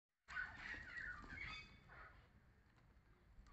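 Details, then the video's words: Black-winged myna singing while eating: a burst of loud, slurred tonal whistles and harsh notes in the first second and a half, then fading to quieter scratchy sounds over low background rumble. "cucak Keling bar bar"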